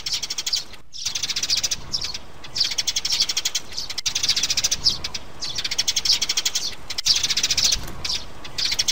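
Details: Sparrow trap-lure recording of mother and young sparrows: a dense, rapid stream of high, buzzy chirps from adults and chicks calling together, with only brief pauses.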